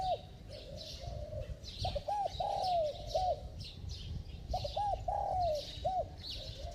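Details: Spotted dove with a bell-like voice, cooing to lure wild doves: hoarse two-part coos, short notes followed by a long sliding coo, repeated twice, with insect-like buzzing and other birds chirping high above.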